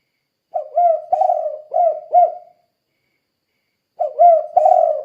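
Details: Spotted dove 'kuk 2' calling, played to tempt other doves into replying: a complete four-note phrase of low, soft coos with a long second note, then a pause, then the start of the next phrase.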